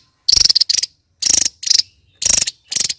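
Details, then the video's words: Harsh pulsed rattles from a kingfisher, delivered in paired bursts roughly once a second, each a rapid stutter of scratchy notes. "Burung raja tembak"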